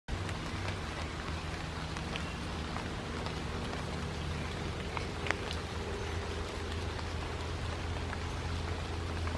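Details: Steady rain-like patter with scattered drops and a low hum, no calls standing out.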